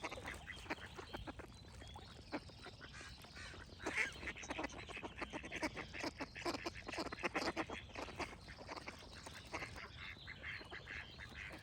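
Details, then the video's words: Ducks quacking in a busy chorus: rapid, harsh, overlapping quacks run steadily through the whole stretch, with a few louder bursts near the middle and faint bird song behind. "Cute Duck Quack Sound Effects with Birds Singing"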